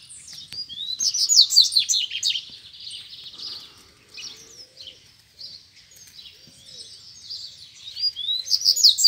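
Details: Double-collared seedeaters, two free birds and a caged one, calling each other to fight at close range: rapid, buzzy high twittering phrases with sliding whistled notes, loudest at the start and end, quieter scratchy bits between.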